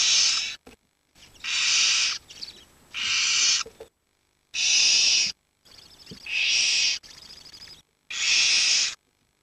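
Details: Several barn owl chicks, 7 to 19 days old, warming each other in a pile while the adults are away hunting; overlapping harsh hissing screeches of varying length and loudness, some louder bursts among quieter rasps.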